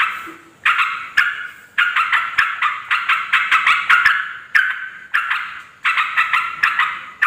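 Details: Yellow-vented bulbul giving noisy calls for luring wild bulbuls; rough, grating notes in quick succession, starting after a short silence, forming phrases of roughly half a second to a second, each loud at the start and fading.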